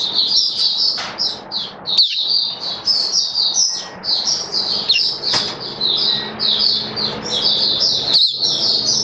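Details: Oriental white-eye in a cage, October 2022. Busy, high twittering song of bright chirps runs throughout over a constant hissing, noisy background with a few clicks.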